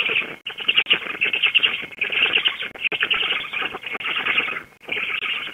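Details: Feeding time at a Black stork nest in Łódź, Poland, 16 June 2021, 19:34, the female having just returned. Nest-camera sound: continuous gravelly, buzzing rasps broken into uneven phrases, with a faint steady hum.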